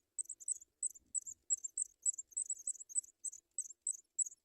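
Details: Nestling African pipits being fed white butterflies by the adults, calling in thin high-pitched squeaks, a quick irregular stream of short chirps, with soft rustling early on.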